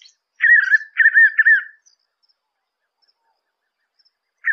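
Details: White-eared puffbird song: three quick wavering whistled phrases close together, mellow and quavering at a steady middle pitch, followed by silence and the start of another whistle at the very end.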